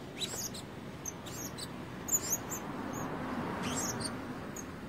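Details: Blue-crowned hanging parrot used as a decoy to lure wild birds, not yet in full voice, giving thin, very high, squeaky chirps in short scattered bursts over a steady background hiss.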